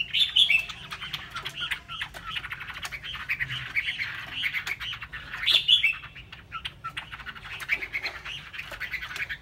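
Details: Chinese hwamei singing a dense, loud run of warbled and whistled phrases high in pitch, swelling in two bursts, with many sharp clicking and tapping noises throughout.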